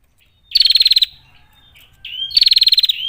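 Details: Two rattling bursts from a female Bar-winged prinia. Each is a dry, rapid pulsed trill about half a second long, separated by a soft upward-slurred note. The background is clean.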